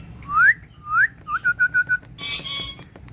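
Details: Green ringneck parrot talking with a mirror, Urdu and Hindi words: two loud rising whistled slurs, then a quick run of five short even notes, followed by a brief harsher burst of sound.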